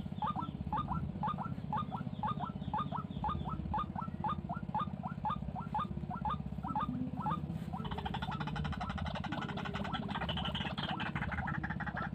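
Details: Wild white-breasted waterhen, said to be very fierce, repeats a brief husky note roughly twice per second for about seven seconds, then the sound turns into a harsher, noisier rasping stretch; a steady low hum runs throughout.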